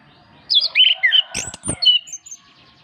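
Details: Orange-headed thrush, master recording for prompting birds that rarely sing: a brief rich phrase of tumbling whistled notes sliding high to lower, with two sharp clicks in the middle.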